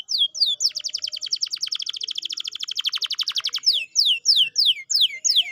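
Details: Canary song used as a lure to get a lazy, quiet canary singing again: bright high trills, with a fast, even run of rapid notes in the middle, framed by sharp descending whistled sweeps repeated about once per half second.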